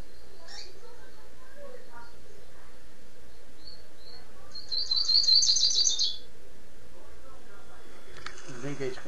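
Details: Rusty-collared seedeater, Niterói, Rio de Janeiro, singing the tirano style: scattered soft high notes, then one rapid, buzzy, high-pitched chattering phrase of about a second, followed by a brief noise.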